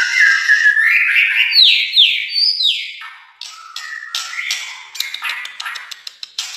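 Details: Albino or blorok white-rumped shama from Indonesia singing loud, descending whistled phrases repeated in quick succession, then a chattering stretch of clicks, ticks and short buzzy notes.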